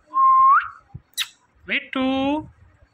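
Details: A pet Indian ringneck parakeet talks: a clear flat whistle ending in an upward flick, small clicks, then a harsh, buzzy, harmonic-rich syllable like a spoken word, recorded indoors and close.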